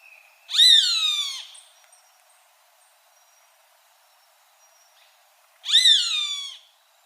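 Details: Roadside hawk screaming twice, about five seconds apart: each call starts abruptly, slurs downward and sounds strained and nasal, with faint high tones between calls.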